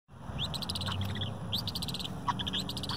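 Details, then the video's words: Several sandhill cranes, adults and juveniles, gathering in a park and jumping around; overlapping rolling, harmonic-rich trumpeting calls in quick bursts, with a steady low background hum. "Sandhill Cranes Calling"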